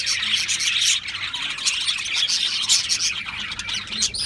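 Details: Many Australian parrots chirping together: shrill, quick, overlapping tweets run without a break, a lively flock chorus with a few louder squeaky notes near the end.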